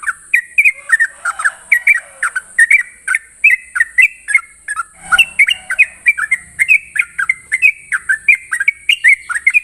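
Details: Sooty-headed bulbul singing ropel-style in the morning, with fast, clustered whistles and chirpy slurs in an energetic stream and a brief low thump midway. A steady high-pitched hiss runs throughout.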